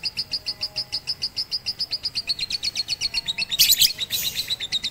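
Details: Batman lovebird during rooftop song training with a master recording, 18 April 2021: a steady, very fast stream of high repeated notes, several per second, broken by loud harsh screeches.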